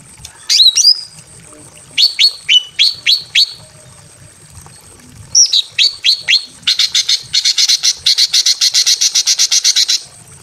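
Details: Breeding female greater green leafbird calling a male in a simple aviary: sharp downslurred whistles in quick sets of four, then a long steady rattle of rapid buzzy notes about four per second.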